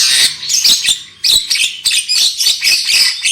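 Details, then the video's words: Lure recording of black-winged myna song used to make birds sing loudly: a rapid series of loud, harsh, raspy squawks repeated roughly twice per second with brief gaps. "SUARA PANCINGAN JALAK KEBO AGAR CEPAT NGOCEH KERAS"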